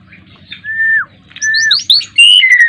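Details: Ten-year-old Asian pied starling in gacor mompa song: two long level whistles that bend downward at the end, then quick high squeaky notes and a clear falling whistle.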